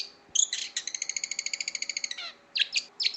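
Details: Long-tailed shrike (cendet) song for training caged birds: a fast, even rattle of about twenty notes, then a few harsh, scratchy chirps, over a faint background hum.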